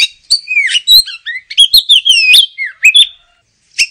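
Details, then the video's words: Oriental magpie-robin singing a rich run of clear whistles that swoop up and down, interleaved with quick chirps and clicks, then ending in a brief gap and one final note. "Suara Kicau Burung Kacer - Ngoceh Gacor"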